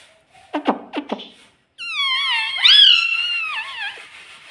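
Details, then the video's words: Rose-ringed parakeet, a talking pet said to say "mummy", makes a few dry clicks and then one long, drawn-out, wavering voice-like call that rises and trails away. "Talking Parrot Mitthu Mitthu Tota || Mummy Mummy Bolne Wala Mitthu || pattu Parrot Talking"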